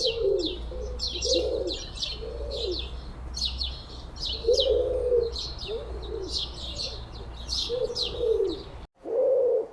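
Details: Pigeons give deep, rolling, rhythmic coos in uneven bursts every second or so, described as the gregarious group call resonated through an air-inflated throat, used to attract pigeons; busy high chirps and clicks from other birds beneath.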